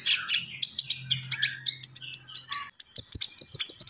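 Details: Gacor song of a common iora: quick rising and falling whistled notes repeated in a bouncing series, then a steady very high rapid trill, over a faint low hum.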